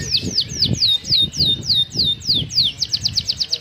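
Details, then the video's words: Canary in lively song with fancy variations, delivering bright downward-sweeping whistles in steady rapid succession, ending in a quicker burst of short repeated notes; faint low background noise underneath. "Suara Burung Kenari Gacor cengkok mewah"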